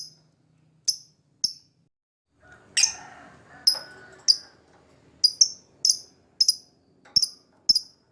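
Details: Captive lovebird recording used as a prompt to coax a reluctant bird into singing: sharp, very high chirps repeated about every half second, broken by a brief buzzy, chattering stretch in the middle.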